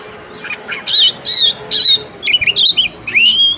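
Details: A female Oriental magpie-robin calls to urge a male to sing: three harsh rasping bursts, then quick warbled whistles and a long rising whistle, over steady background hiss.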